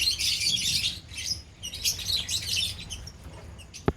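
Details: Lovebirds in a colony chatter loudly in overlapping shrill chirps during the first three seconds, then fall quieter. A single sharp tap comes at the end.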